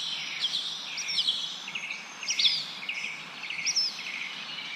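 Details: Birds chirping as wind blows through leaves: high, thin, sweeping chirps and short trills in brief bursts about every second, over a steady hiss of rustling foliage.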